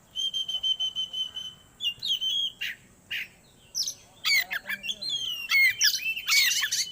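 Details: Magpie-robin (kacer) song meant to bring birds into breeding condition: a repeated level whistled note pulsing several times, then scratchy buzzy bursts and quick rising and falling whistles, growing louder toward the end.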